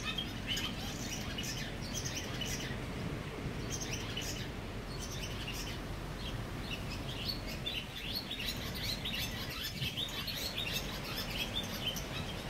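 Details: A barn swallow colony beneath a bridge in Mercer County Park, New Jersey: scattered high chirps and short twittering notes over a constant, fairly loud low hum of background noise.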